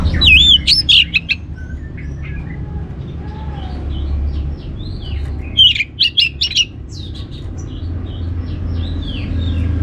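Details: Anis merah, the orange-headed thrush, in song used as a teasing lure to get other birds singing: loud bursts of quick looping high notes alternate with quieter varied phrases, against a constant low background hum.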